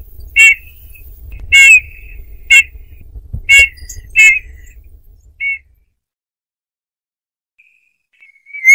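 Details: Eurasian bullfinches: a quick run of five or six short piped whistles over a low hum, then a fainter note, a quiet pause and one final whistle.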